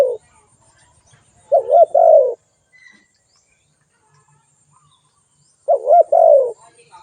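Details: Spotted dove call: two separate mellow coo phrases about four seconds apart, each a wobbling note running into a longer descending coo, with near silence between.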